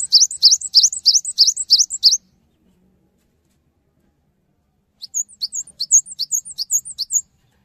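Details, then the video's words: Cinereous tit song intended to stimulate other tits: a two-second burst of fast swooping high whistles, a pause, then a softer, sparser run of similar notes. "GELATIK BATU GACOR | Bikin Gelatik Lain Cepat Terangsang Untuk Ikutan Bunyi"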